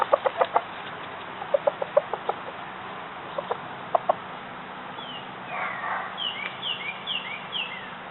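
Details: Domestic rooster calling his hens to come for scratch feed: bursts of short, rapid, low clucks repeated over the first four seconds, then quiet while small wild birds chirp with thin slurred whistles in the background.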